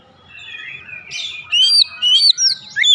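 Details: Oriental magpie-robin singing in ngeplong gacor style, meant to prompt other birds to sing: a soft warbled opening swells into loud, clear whistled slurs and sweeping notes in short bursts near the end.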